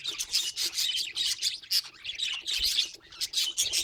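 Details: Pet budgerigars chattering nonstop, with dense high scratchy warbles and squeaks in quick bursts and a few clear whistled chirps mixed in.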